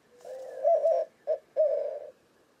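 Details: A single white-winged dove coos: a soft rising lead-in swells into a strong hooting coo, then a short clipped note and a final sustained low coo, clear and close in a quiet setting.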